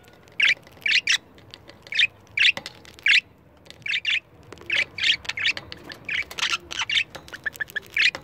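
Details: A pair of pet budgies confronting a camera gives scratchy chirped squawks, spaced at first, then coming faster and overlapping in a busy run near the end.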